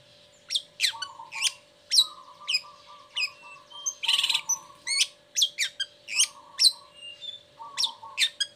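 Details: Caged long-tailed shrike singing hard after its cover is lifted, a lure for sluggish or moulting birds. Sharp chirps come about twice a second, with low buzzy trills and one loud rasping burst midway. A constant hum underlies it.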